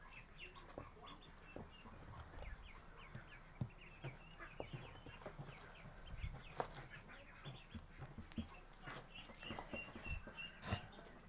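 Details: Newly hatched Magpie duck ducklings, one day old, keep up a busy chorus of short high-pitched peeps, some doubled, over scuffling, bumps and a steady low hum.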